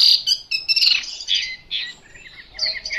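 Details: Brief bursts from an untrained Chinese hwamei: bright high whistles and buzzy slurred notes in quick separate phrases, with short pauses between them.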